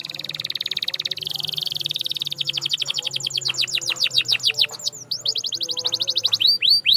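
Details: Canary song played to stimulate silent canaries to sing. High, rapid rolling trills of falling notes shift between tempos, with a faint low hum beneath.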